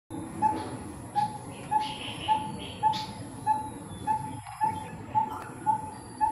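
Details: Coppersmith barbet recorded in 2020, calling energetically: a steady series of short, low, hollow tonal notes, about two per second, with faint higher chirps from other birds and a low background rumble.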